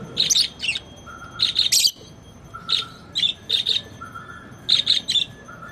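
Lovebirds chirp in rapid, high, scratchy bursts, short clusters every second or so, with a faint lower whistle between them.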